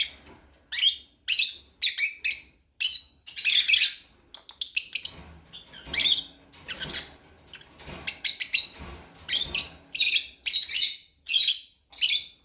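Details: Long run of lovebird chirps, loud shrill notes repeated about every half second, with some softer twittering in the middle stretch.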